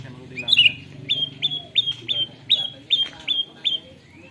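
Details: White-rumped shama trained on canary song delivering a repeated series of short clear whistled notes, each a sharp upstroke into a level tone, given about three times a second, with faint background voices at the start.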